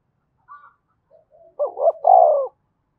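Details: Spotted dove urging coo in the Đồng Nai style for luring wild doves; a few faint soft notes lead into one strong low phrase, two quick notes and a sustained burred coo.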